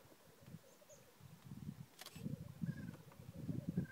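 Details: Black grouse (Lyrurus tetrix) at an early-morning lek in Glen Bruar, Atholl Estates, Scotland: low, bubbling, rolling coos that swell and fade in a steady murmur, with one sharp click and faint high whistles from other birds.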